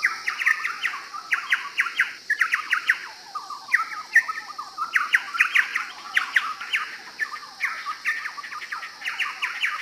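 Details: Chowchilla (Orthonyx spaldingii), a ground-dwelling bird endemic to northeastern Australia, singing a loud, rollicking run of ringing, chattering notes in rapid bursts every second or so, over a steady high insect drone.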